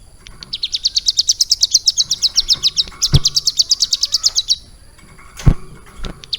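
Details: Caged hill prinia trained around three months to mimic lovebird song. It gives a fast, high trill of repeated sharp notes lasting about four seconds, broken by a loud thump. Another knock comes later, with a brief restart of chirps.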